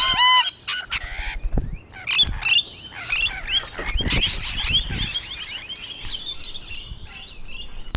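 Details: On a wall, rainbow lorikeets give a loud nasal screech at the start, then many rapid rising and falling chirps and squeaky chatter that gradually fade, with occasional thumps.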